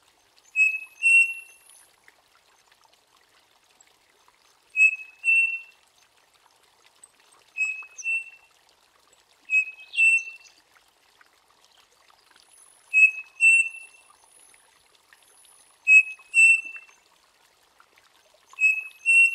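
A striped cuckoo whistles a clear two-note phrase, the second note slightly higher, repeated every few seconds.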